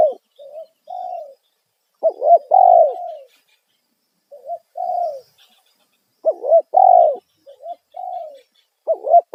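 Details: Spotted dove 'kuk satu' call, sounded loudly as a lure for wild doves. Mellow, hoarse coo phrases repeat regularly, alternating short double notes with longer sustained, gently falling coos, in otherwise silent surroundings.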